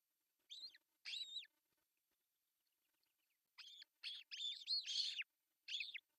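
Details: Osprey at a nest in Pohjois Satakunta, Finland, June 10, 2024, male bringing fish for breakfast; two loud high arched whistles, a pause, then a quick run of shrill overlapping cries.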